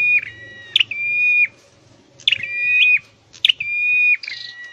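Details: Scarlet-headed flowerpecker singing in a cage during training, giving three drawn-out, pure, level whistles, each begun with a sharp high click and falling slightly at the end, over a faint low rumble.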